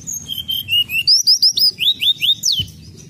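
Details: Sunda robin lure: a steady chain of clear whistled notes, several level then a series of quick upslurred whistles, ending in a sharp downward slur, about a dozen notes in three seconds.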